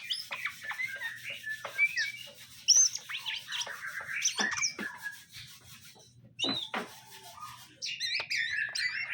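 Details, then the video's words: Caged greater green leafbird, male and female being paired; busy sequence of varied whistled and chirping notes, sharp slurred phrases and quick downward sweeps, with short pauses and soft rubbing noises. "cara menjodohkan burung cucak ijo Supaya Cepet akur"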